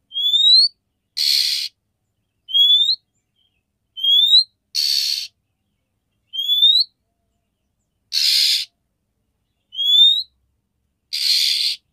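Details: Female oriental magpie-robin calling the male to arouse his breeding condition: short, upward-sliding whistles alternate with harsh, rasping churrs, about five whistles and four rasps in twelve seconds, separated by clean silent gaps.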